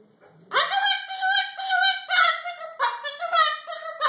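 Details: A pet Moluccan cockatoo curses in a small indoor room: a loud, strained, voice-like string of wavering, rising and falling syllables, almost unbroken for over three seconds.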